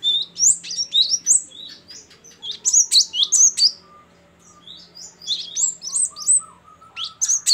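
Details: Loud, continuous ngeplong and gacor song of a Great tit (gelatik batu): dense high whistled phrases with one short lull, plus a fainter lower note series running beneath the second half.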